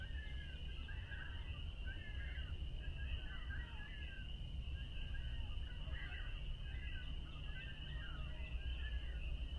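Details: A flock of ring-billed gulls, identified by the Merlin app, gives harsh, overlapping mewing calls, reacting to the sun going dark during a total solar eclipse at Montezuma National Wildlife Refuge, New York. Strong wind rumble and a steady high, thin tone underneath.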